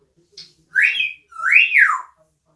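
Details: Talking pet parrot, known for speaking and laughing, giving two loud whistled notes, the first rising sharply and the second a smooth rising-then-falling slide, preceded by a soft short chirp.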